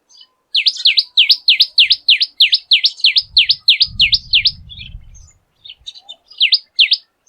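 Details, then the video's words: A Common Tailorbird sings in a garden, a loud, rapid series of sharp, high notes, about three per second, in two bursts, over a faint low rumble; the song carries from afar. "If you are alert, this song is sure to reach your ears from afar and, do keep an eye out for movements amongst leaves."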